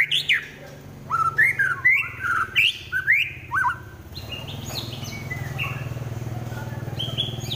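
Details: White-rumped shama singing in fighting mode, in the rapid stuttering trotol style. Loud, varied whistled phrases with rising and falling sweeps come in quick bursts for about four seconds, then fade to faint high notes over a steady low hum.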